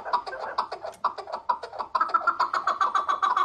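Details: Keklik, the chukar partridge, calls in a fast run of sharp chuck notes that pick up speed and turn steadier and higher in the second half. The notes sound throaty and harsh. Slight room echo.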